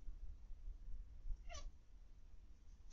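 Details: Zebra finches in an aviary, evening live stream, 21 October 2020: a single short, nasal, trumpet-like call cuts through a low steady hum, with the start of a second call at the very end.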